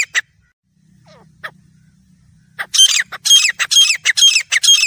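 A grey francolin gives loud, harsh, squealing notes in a quick repeated series, about two a second, after a few scattered notes and a low hum.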